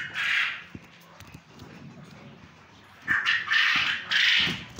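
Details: Male quail kept on a farm in Punjab, Pakistan: one harsh call burst, a pause of over two seconds, then two more rasping bursts in quick succession.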